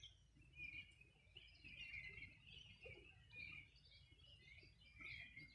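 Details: Birds singing at the edge of the Río Bueno, Los Ríos region, one summer morning in 2020; warbling, twittering phrases swell and fade in waves, overlaid on a low continuous water sound.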